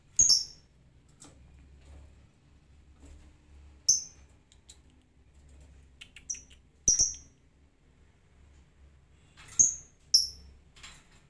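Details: Lovebird giving ngetik ticking calls, not breaking into its ngekek chatter without a lure: sparse sharp high chirps in small clusters a few seconds apart, with faint low hum between them.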